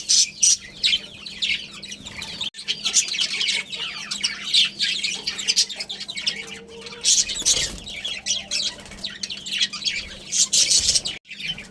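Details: A budgie colony with a breeding pair, squawking and chattering in loud broad bursts among steady high warbles, with a brief low tone in the middle.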